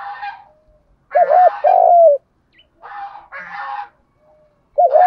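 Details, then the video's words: Spotted dove lure coo, "thúc gù" style. A low double note is followed by a falling coo, mixed with harsher rasping sounds that are either rustling or another bird. "tiếng chim cu gáy kích bổi. giọng thúc gù"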